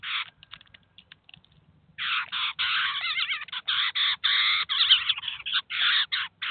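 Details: Eurasian jay and chicks at a cheese feeder in Kaluga, the adult feeding and teaching the young: a long run of loud, grating rasps repeated rapidly, nearly continuous, after some softer scattered notes.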